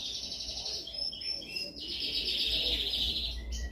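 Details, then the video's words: Canary singing dominant training song: thin high whistles, then a long steady rapid trill of repeated notes, with a low background hum. "Canção mais dominante de canary para treinagem."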